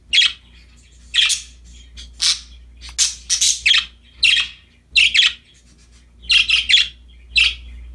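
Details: Happy pet budgies with a new toy chirp in short harsh bursts, about nine squawky notes roughly one a second, some doubled, above a steady low hum.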